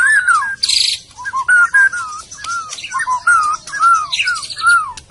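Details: Medan white-rumped shama singing mellow, lower whistled notes, each a short slurred phrase, repeated steadily with a brief burst of higher chatter near the start.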